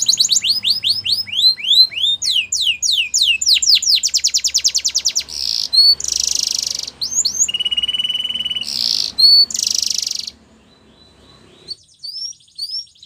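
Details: Belgian canary song meant for training young canaries: fast downslurred trills, then dense buzzy rolls and steady tones, separated by short sharp upswept notes, ending in quieter scattered chirps after a pause.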